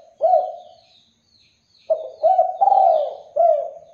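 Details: Spotted dove singing to get any dove to respond: a hiccuping coo, then a phrase of husky notes swelling into a longer drawn, slightly falling coo and a closing note, with faint high bird twitters in the background.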